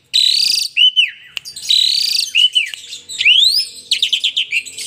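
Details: Male Asian pied starling singing energetically while bobbing and dancing: a loud, varied medley of harsh buzzy bursts, clear arching whistles and rapid chattering notes, high-pitched in quick succession.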